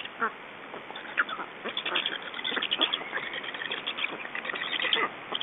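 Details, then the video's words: Estonian black stork nestlings being fed at 21:54 on 2 June 2012 as adults change over; harsh clustered chattering calls build after a quieter start, with sharp bursts and steady background hiss. "Estonian Black Storks - Change and feeding"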